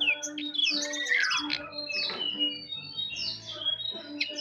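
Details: Jongkangan bird singing actively in a soft twittering 'ngeriwik halus' style: busy high chirps, trills and sweeping whistles, with one bright descending slur, over a steady low hum.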